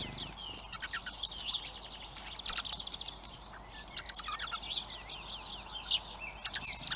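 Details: Common blackbird chicks, hungry, calling near a garden feeder in Recke, Germany; bursts of high, thin, fast chirping come in clusters every second or two over a light rural background hiss.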